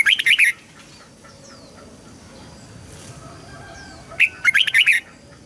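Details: Red-whiskered bulbul singing to train young birds and spur wild-caught birds into song: two bursts of rapid, bright whistled notes, one at the start and one about four seconds later, near silence between.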